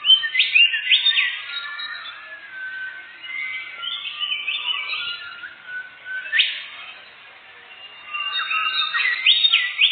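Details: Canary lure song for catching birds in the forest, with fast rolling trills, steep up-slurred whistles and chirpy phrases in loud bursts, separated by a quieter lull near the middle.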